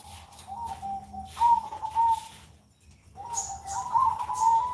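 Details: Zebra dove (perkutut) cooing on a Sunday morning, with two pulsed, purring coo phrases separated by a short silence, the second rising slightly in pitch, and faint high bird chirps in the background.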